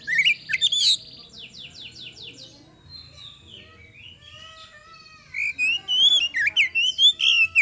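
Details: Kacer, the magpie-robin, singing as a lure to prompt replies from other birds: whistled notes and a buzzy trill opening, soft rambling notes in the middle, then a run of loud looping whistles.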